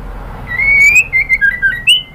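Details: White-rumped shama female calling to a male, giving a clear drawn-out whistle that climbs gently, then four quick dipping whistled notes ending in a higher sharp note, over low steady background hum.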